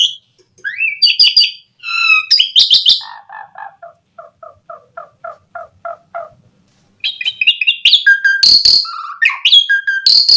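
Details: Asian pied starling song played to make other starlings sing: opening whistles and harsh notes, then a long evenly spaced series of soft double-pitched pulses, a pause, and a return of loud varied whistles and rasps.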